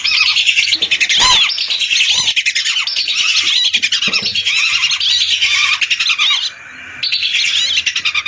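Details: A lure recording of hundreds of lesser whistling ducks: a steady, crowded chorus of sharp high whistles and squeaky notes, broken by a sudden short crackle early on and a brief quieter gap toward the end.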